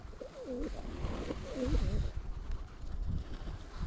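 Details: Pigeons from a flock fed bread near a school on a frosty winter morning, GoPro recording: soft low cooing notes with gently bending pitch in the first two seconds, then rustling and low outdoor noise.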